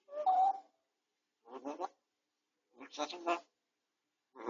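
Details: Pet Grey parrot recovering from a beak injury, filmed on a home camera while resting, talking: three short speech-like bursts of syllables separated by silences, the first held and tonal, the last ones choppy.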